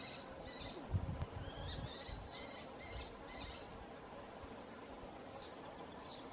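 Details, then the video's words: Canary Islands kestrel at Tijarafe, La Palma, giving call and mating sounds: clusters of thin, high, downslurred squealing notes with short gaps between bursts, fairly faint, over low rumbling noise and a few dull thumps. "Canarische torenvalk roep en paringsgeluid"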